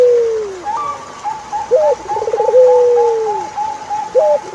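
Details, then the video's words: Turtle dove song of low cooing phrases, a long falling coo, a short rising note and a rapid pulsed trill, over a steady series of higher whistled notes from another bird. "Sound of Turtlefove Collaboration is Chilling"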